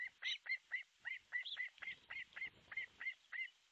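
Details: Osprey, artificial nest in Pohjois Satakunta, Finland, 6 July 2023, 12:31, nest camera: evenly repeated bright, down-curving whistles roughly four per second, with light low rumble in the middle.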